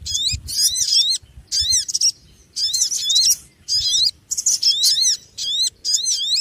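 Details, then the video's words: Small noisy bird chattering in fast bursts of piercing, swooping chirp notes, several per second, interrupted by brief gaps and faint low rumble. "Suara Burung Kecil Ribut"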